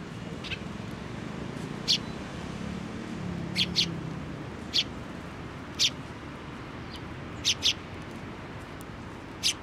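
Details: Sparrows arriving for food on a post at a Tenmangu shrine, 25 April 2024. Short high chirps come singly or in pairs, spaced about a second or two apart, over a low background rumble.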